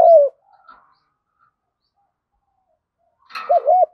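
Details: Spotted dove fighting coo in the field-style voice, used as a lure: the end of a falling coo, a long quiet stretch, then a brief higher noisy sound and two quick looped notes.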